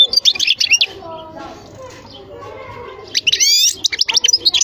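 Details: A European goldfinch gives a burst of quick, liquid twittering. A lull with faint low sounds follows, then a renewed stretch of bright, rapid chirps and trilled notes.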